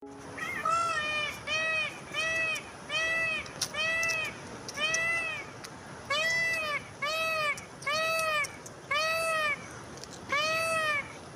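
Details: Wild peacock calling in a long series of loud, arched, wailing cries with rich harmonics. Each cry lasts about half a second and comes roughly once a second, in two bursts separated by a short pause, over a steady background hiss.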